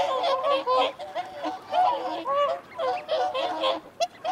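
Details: Whooper swans giving feeding and territorial calls: overlapping nasal honks in a busy flock, bursts of bugling notes rising and falling with short gaps between them.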